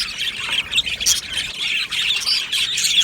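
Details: Budgerigars in an aviary colony, recorded on 22 June 2025, singing and chirping: a dense, continuous chatter of high squawks and rapid warbling notes from many birds at once, with no pauses.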